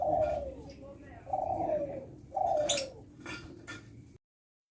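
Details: Captive-bred colour-variety spotted dove from a breeding farm in Sidoarjo, East Java, Indonesia, of the 'kuk 7' multi-note cooing type; three low, hoarse, descending coos about a second apart, then a few clicks over faint background hiss.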